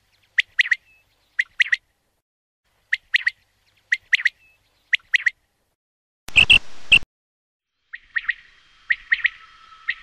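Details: Common quail repeating short three-note phrases about every second, interrupted by a brief loud burst of noise, then more phrases over faint steady tones.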